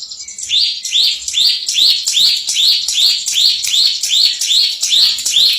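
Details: Contest-champion bar-winged prinia in rapid ngebren song: a steady string of high, sharp upslurred chirps, about two and a half per second, evenly spaced and unbroken throughout.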